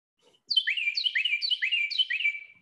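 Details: Carolina wren song heard year-round: four loud, rolling, slower "tea-kettle" phrases about half a second apart, each a bright descending whistle, in a clean recording.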